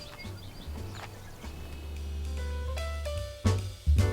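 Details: Background music with a deep bass line, plucked notes and sharp drum hits plays throughout.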